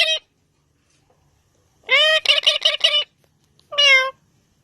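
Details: Talking parrot, heard indoors: short harsh nasal utterances with many stacked harmonics, a brief note, then a burst of four quick choppy syllables, and a final drawn-out squawky phrase, separated by silence.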